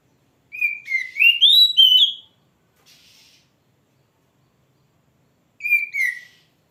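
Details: Singing oriental magpie-robin: a flowing phrase of whistles that dip, then climb and wobble upward, followed by a soft rasp and, after a long pause, a short falling whistled phrase.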